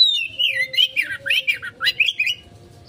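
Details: Oriental magpie-robin singing konslet style as a lure: a fast, rich run of swooping whistled notes, loud and tightly spaced, fading out after two seconds, with a faint steady low hum behind.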